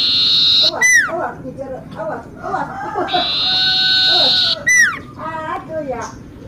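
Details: Energetic common iora song used as lure: a held high whistle, then a fast cascade of descending notes and mid-pitched twittering, another long whistle and a final falling slur.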